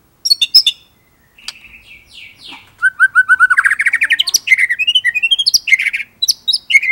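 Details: White-rumped shama in full song with rolling and bursting phrases. A scattering of thin high notes leads into a rapid, rhythmic series of rising whistles that climbs in pitch, ending in bright, piercing notes.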